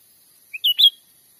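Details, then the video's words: Cucak ranting call used as a lure for catching wild birds in a Sumatran forest, one brisk phrase of three clear whistled notes rising in loudness, ending bright and slightly higher, over quiet hiss. "suara asli pikat cucak ranting gacor cocok untuk masteran juga mikat"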